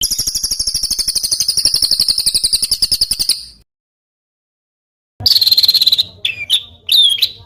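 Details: Tutor recording of a small bird's harsh bursts for contest songbirds: three seconds of high fast trill, a pause, then buzzy notes and piercing slurred whistles.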